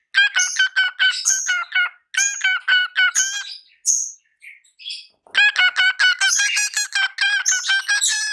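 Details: Captive parrot singing at a microphone with choppy, nasal, rapidly repeated harmonic notes in quick bursts, a squeaky interlude with near silence, then another dense stuttering run.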